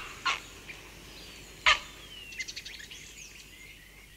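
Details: A grey heron in Kent, UK, gives close-up aggressive calls: two loud, harsh, rasping squawks about a second and a half apart, then faint chirping from house sparrows and a starling in the distance.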